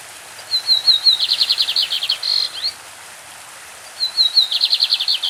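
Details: Brazilian lined seedeater, called a champion with a classic song, with a brook audible behind: high thin whistles lead into a quick rattling trill and a brief slurred end note, then the phrase begins again.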